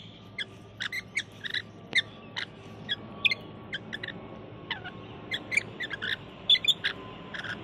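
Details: Wild rainbow lorikeets in Australia visiting a balcony, calling out for food while eating honey and nuts: a steady stream of sharp, shrill screeches and chirps, several each second, with some overlapping, against soft background hiss.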